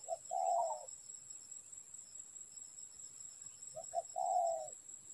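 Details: Spotted dove at a trapping setup. Two low cooing phrases about four seconds apart each open with short clipped notes and end in a sustained rolling croo. A high continuous tone sits beneath.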